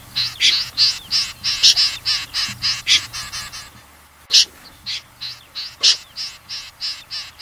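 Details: Common snipe from a 2020 recording, giving a fast series of short, scratchy high calls repeated about three times a second, briefly pausing near the middle before resuming, with faint low hum beneath.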